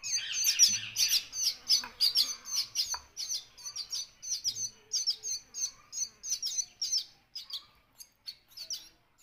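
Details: Parrot chicks begging while being fed: a rapid run of high, squeaky, rasping chirps, roughly three a second, some bursts doubled, with a few soft low thumps near the start.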